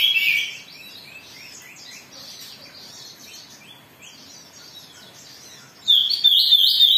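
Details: Oriental magpie-robin singing in an agitated state to goad others into song: a short high whistle, a quiet spell of faint chirps, then a loud run of bright, rising and falling whistled notes.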